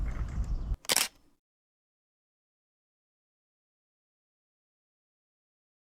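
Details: A camera shutter clicks after some brief rustling and handling noise, and then silence follows with no animal heard.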